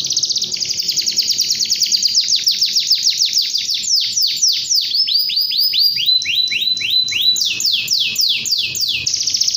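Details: Continuous canary song of dense trills flowing into long runs of sharply descending swoops repeated several times a second, loud and bright.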